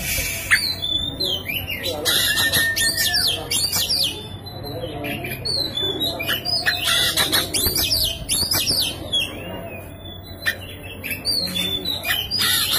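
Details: Oriental magpie-robin in energetic, persistent song, used to provoke a silent magpie-robin into singing: rich varied phrases of sweeping whistles and harsh squawky notes in rapid bursts, with brief pauses between outbursts and a faint hum beneath.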